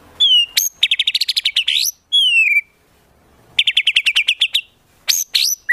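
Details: Murai batu, or white-rumped shama, training song full of tembakan rapid-fire fills for competition birds: clear descending whistles alternate with two fast rattling series of sharp repeated notes, broken by high upswept whistles.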